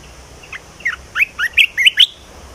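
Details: A caged red-whiskered bulbul gives a brisk phrase of six or seven mellow whistled notes, rising and falling, ending on a higher upslurred note, over a soft low hum.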